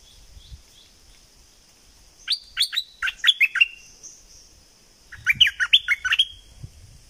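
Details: Bulbul from southern Thailand singing a "double" style song: two bursts of rapid, rising-and-falling whistled notes, about five notes each, separated by a pause, with faint thumps below.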